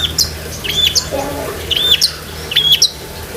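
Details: Long-tailed shrike song full of filler phrases, used for training pet shrikes; clear high whistles that rise then hold level, repeated in pairs, with brief chips between and a faint low hum.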